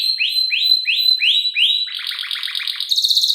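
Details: Canary song used to lure and tutor, a female luring the male, isian filler style: five clear whistles rising then holding steady, followed by a quick stuttering trill and a high buzzy roll.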